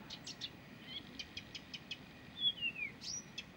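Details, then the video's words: Continuous Blyth's reed warbler song: a string of sharp, evenly spaced clicking ticks, then a bright descending whistle and a thin upslurred note, in a quiet background. "САДОВАЯ КАМЫШЕВКА НЕ В СИЛАХ ПОМОЛЧАТЬ!"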